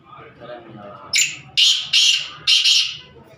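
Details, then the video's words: Competition grey francolin kept for calling contests, giving four loud, harsh, hammer-like bursts in quick succession. Each burst is short, with roughly half-second gaps. A man talks quietly just before the calls. "تیتر کی آواز ہے یا ہتھوڑا"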